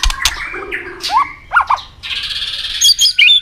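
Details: White-rumped shama singing aggressively to provoke a rival, with tail clicks: mixed clicks and upslurred whistles, a pause, then a buzzy harsh phrase ending in quick high chirps.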